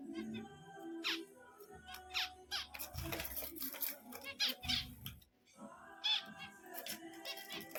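Zebra finches give short, nasal, trumpet-like beeps in scattered bursts, several birds overlapping, with background music playing throughout.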